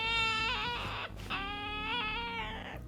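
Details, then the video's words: Pet Ducorps's cockatoo seeking attention and play from its owner utters a sustained, nasal, whining cry with slight wavers, briefly interrupted by a rustling sound. "018甘えたい遊びたい[Sub] -Spoiling and playing- ソロモンオウム Parrot"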